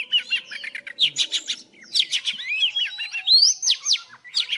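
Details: Old wild Oriental magpie-robin singing in the morning, a trapping-lure recording: dense, continuous whistled phrases with rapid upward and downward slides over a faint low steady hum.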